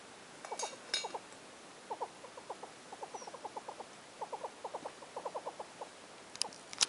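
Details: Hornbill calling at a campsite in Khama Rhino Sanctuary, Botswana: runs of quick, knocking, clucked notes in bursts of four to six, plus a few sharp clicks and taps.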